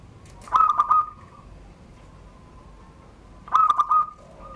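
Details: Caged zebra dove of original Serang, Banten stock giving its classic surung gdor song beneath a door; two bright stuttering coo phrases about three seconds apart, with a faint low tone between them.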